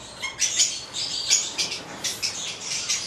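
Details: Short, sharp, high squawks from a pair of Stella's lorikeets (goliathina), a red male and a black female, repeated in quick irregular notes roughly every quarter second over a faint background hiss.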